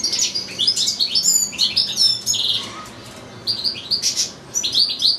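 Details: Caged European goldfinch kept with a second goldfinch and two young goldfinch-canary hybrids, one bird in a breeding cage, singing a long recital: fast, bright twittering trills and buzzy chirps, briefly pausing midway before resuming.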